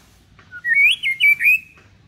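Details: White-rumped shama tutor song, deliberately set low and calm, played so young fledglings learn to sing like adults: a loud clear whistled phrase, a short low note then rising and falling slurred whistles in quick succession, over a quiet background.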